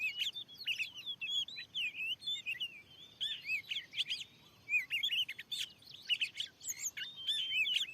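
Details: Very fierce wild oriental magpie-robin at a lure in a newly opened field, singing quick runs of whistles and sharp chirps in short, repeated bursts.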